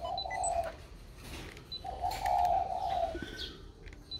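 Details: Recently sold spotted dove inside a box, calling as usual: two low muffled coo phrases separated by a pause, with scattered faint high chirps and a noisy background.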